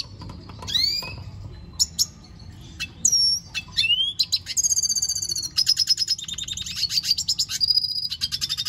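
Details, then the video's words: Red siskin singing at length: scattered sharp upslurred whistles, then rapid buzzy trills and repeated high twittering notes running on without a break. "Pintassilgo da venezuela cantando muito - Suara Burung Red siskin"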